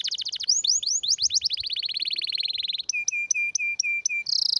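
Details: Canary delivering a rare, strong tutor song: looping falling notes, a fast buzzy trill, then evenly spaced two-part whistles ending in a loud high burst.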